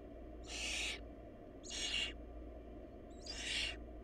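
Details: Hungry barn owl nestlings, their family lacking food. Three drawn-out breathy screeches, each about half a second, spaced over a second apart, fairly soft against a constant low-frequency hum.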